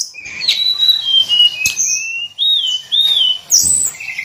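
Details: Hill blue flycatcher (tledekan gunung) daily song: clear whistled phrases wavering between middle and high pitch, some notes sliding up and down, with brief sharp high ticks between phrases.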